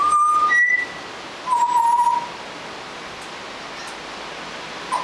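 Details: Juvenile Australian butcherbird learning its song: a held whistle, a higher note, then a lower sustained whistle, followed by quiet hiss and a faint final note.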